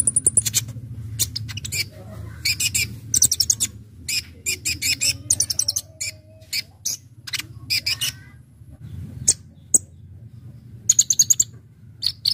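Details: Brown-throated sunbird singing a busy 'gacor full isian' song for luring birds: clusters of very high, rapid ticking trills in short bursts, with a steady low hum beneath.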